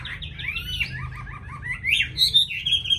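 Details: Chinese hwamei, a tame singing bird in Hanoi, Vietnam; a quick string of downslurred whistles and lower repeated chirps, ending in louder bright ringing notes.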